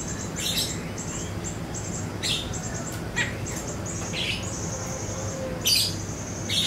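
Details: Siri-siri lure song for training songbirds, mostly a fast, high, evenly pulsed twittering trill broken by occasional louder chirps and short bursts, over a low steady hum.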